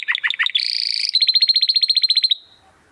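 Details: Domestic canary delivering crystal-toned song meant as a master for training competition birds: a few clipped descending chips, then a bright high roll, then an even series of about fifteen pulsed notes that fade away.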